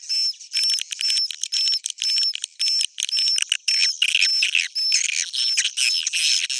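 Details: Swiftlets in an old-style recording, a dense, busy twittering of sharp high chirps in rapid irregular bursts, with a thin, steady whistled tone running through much of it.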